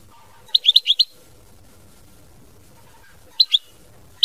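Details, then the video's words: Mama binette style song of a European goldfinch: a quick run of five sharp, chirpy notes, then a pause and a few more scattered tinkling notes over a soft low background hum. "Chant Chardonneret mama binette"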